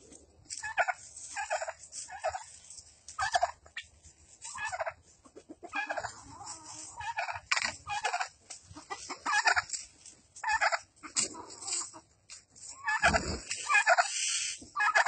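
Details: A turkey facing off against a Rottweiler gives harsh, rapid gobbling bursts, repeated in quick volleys about every second.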